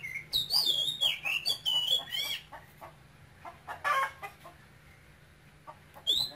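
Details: Caged male oriental magpie-robin, taken from Cambodia as a young bird, singing in a Quang Ngai-style voice: bright high whistled phrases with rapid slurred, warbling notes for over two seconds, then scattered short chirps and a final rising whistle.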